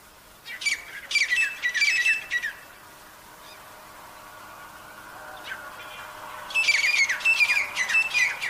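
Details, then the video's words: Wild partridges (teetar) living in jungle, described as very healthy: two loud bursts of harsh, squawking notes in rapid, ragged series, separated by a quieter pause of several seconds, over steady background hiss. "jangli teetar ki awaaz"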